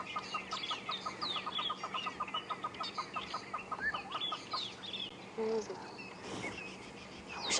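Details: Hornbills give a fast run of hollow, clucking alarm notes, about five a second, amid alarm-calling drongos, francolins and angry squirrels reacting to an unseen threat, perhaps a snake or bird of prey; morning drive after rain, 10 March 2016. Finding: Hornbill.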